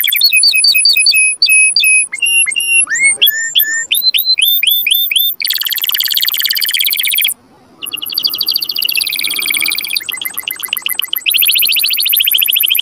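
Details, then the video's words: Mating-stimulation song of a canary: phrases of repeated rising whistles, then long rapid high trills, a short break, and more fast rattling rolls. "تغريد كناري قوي لتحفيز الذكور وتهييج الاناث على التزاوج"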